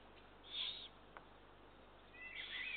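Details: Hoarse, hissing screeches from Eurasian eagle-owl chicks during feeding on 2 June 2023, one short burst followed by a longer rasping one, a single click between them.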